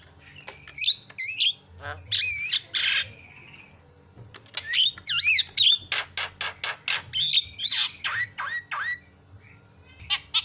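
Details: Javan myna in full loud song, mixing wavering whistles, harsh rasps and rapid clicking notes in long irregular phrases with short pauses between.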